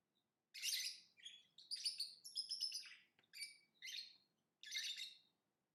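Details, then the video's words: Lovebird chirping: a run of shrill, harsh, broadband chirps in short bursts, some clustered rapidly, others spaced about half a second apart, with brief silences between and a quiet background. "Lovebird Singing & Chirping Sounds"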